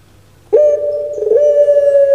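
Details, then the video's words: Puter pelung collared dove, a pet bird famous on Java, Indonesia, starts after a short silence with a sudden loud coo, a short roll, then a long even sustained tone to the end. "PUTER PELUNG DAPAT NEMU ini Suaranya SEBAGUS ini"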